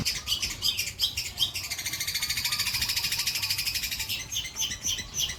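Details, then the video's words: Long-tailed shrike with a white breast, a kept songbird, delivering a fast, high chattering song that builds into a long, even trill of rapid notes, then breaks into scattered chirps. "CENDET DADA PUTIH MATERI MEWAH BOLO"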